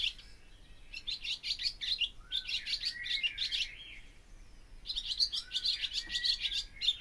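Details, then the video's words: Barn swallow (Hirundo rustica) song: a fast, bubbly run of high twitters and chirps delivered in two long bursts, with a brief gap between them. "O canto da ANDORINHA-DAS-CHAMINÉS/BARN SWALLOW SONG"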